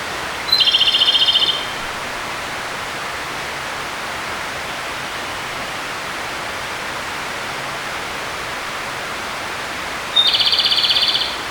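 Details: A Japanese robin, a forest bird, sings in spring to early summer: two short songs about nine seconds apart, each a sharp high note followed by a rapid, trilling rattle, over steady rushing water.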